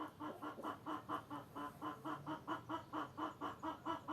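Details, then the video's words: Hens clucking in a steady run of short, nasal, pulsing notes, about two per second, rising and falling in loudness with little pause between them. "Kotkodálás és kukorékolás hangeffekt (Chickens with rooster sound effect)"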